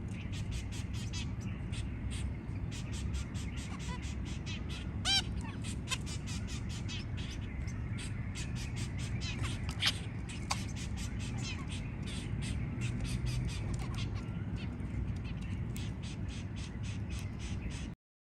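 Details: Zebra finches (Taeniopygia guttata), with newly hatched babies, giving rapid, short, clicky ticking calls over a steady low background hum.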